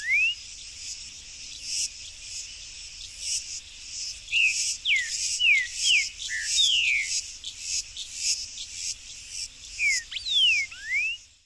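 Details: Song of a wild buff-throated saltator visiting a fruit-tree backyard: a string of rich whistled notes, some rising and some dropping, delivered in loose phrases about two per second, with loud pulsing crickets throughout.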